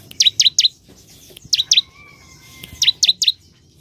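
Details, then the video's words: Bar-winged prinia singing actively, delivering groups of two or three sharp, downward-sweeping chips with pauses between; a faint steady whistle-like tone runs briefly in the background. "Ciblek gacor"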